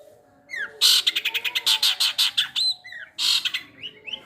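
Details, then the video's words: Long-tailed shrike (cendet) song built from imitated material such as sparrow and kingfisher calls: a fast run of harsh, buzzy broadband notes, about a dozen in quick succession, then a pause and a second short harsh burst, with a faint low hum beneath. "CENDET MATERI GEREJA TARUNG GEREJA PETIR KUNTILANAK GETAR RESTU TENGKEK BUTO"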